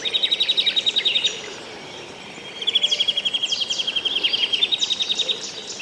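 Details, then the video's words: Birds singing along a riverbank on a morning walk: a fast, even trill of high rattling notes lasting over a second, a short break, then a longer trill with sharp chips, over soft rushing background noise. "cánticos de los pajaros en el rio"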